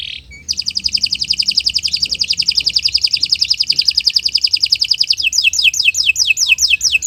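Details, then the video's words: Canary morning song for use as master recording to train other birds: short buzzy note, then a long very fast rattling trill lasting about five seconds, ending with quick falling whistled notes. "Kicau Burung Kenari 179 II LUAR BIASA GACOR PANJANG Cocok untuk Masteran"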